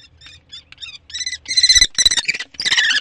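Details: A common kestrel gives shrill, harsh squealing calls, starting soft and growing louder, in quick bursts over three seconds, on 15 May in spring.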